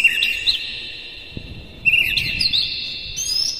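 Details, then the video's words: Song of a white-rumped shama played to excite other shamas: a whistled phrase trailing into a steady tone, then a fresh burst of twittering notes and rising whistles. "KACER NGEPLAY GACOR NEMBAK-NEMBAK ISIAN, PANCINGAN AMPUH NAIKAN EMOSI KACER"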